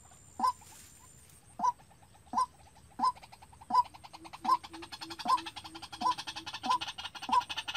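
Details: Decoy White-breasted waterhen, a caged lure bird used for trapping, calling on its own: a short hooked mid-pitched note repeated roughly every second, later joined by a faint lower buzz and dense high insect-like ticking.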